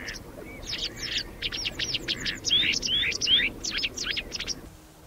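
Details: Western yellow wagtail, a spring-summer migrant to UK farmland, gives thin, high chirps thick and fast, with a few sliding 'tsweep' notes in the middle; other small birds may be calling too.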